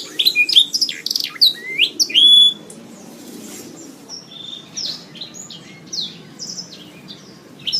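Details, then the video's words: Canary in a songbird training recording: loud quick chirps and clear sliding whistles in the first two and a half seconds, followed by quieter, sparser high notes. "Masteran Suara Burung Kenari"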